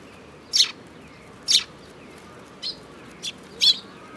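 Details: Sparrows at a Tenmangu shrine on 5 June 2022, with a mimicking sparrow among them: five short, high chirps spaced about a second apart, some sharp and loud, others softer, over quiet background hiss.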